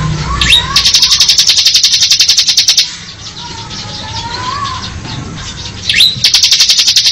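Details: Ngebren song of a bar-winged prinia (ciblek): a rising whistle leads into a fast, high buzzy trill of about two seconds. A lower, softer, wavering whistle from another bird follows, then a second trill begins.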